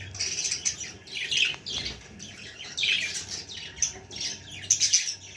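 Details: Baby budgerigar making rasping squawks and high chirps in repeated short bursts, continuing almost without a break.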